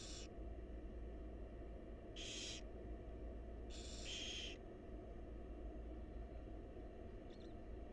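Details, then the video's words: Wild barn owl nestlings, in a monitored nest box, hiss at their feeding mother. Three or four loud rasping bursts, one a drawn-out double, followed by quiet hum and a faint softer hiss. "Barn Owl Mom Lovingly Feeding Her Adorable Babies"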